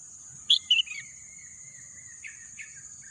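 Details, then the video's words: Birds chirping in green nature: two loud high chirps close together, a soft trailing note, then faint distant chirps, with a steady high insect-like drone throughout. "bunyi kicauan burung"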